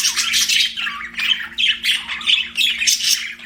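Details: Pet budgerigars give loud, grating squawks and chirps in short bursts about every half second, with a scratchy warbling chatter between them over a faint indoor hum.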